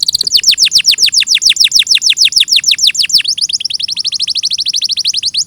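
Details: Canary singing rapid sweeping notes that drop in pitch, about five per second, then moving into a higher, tighter trill of short repeated notes.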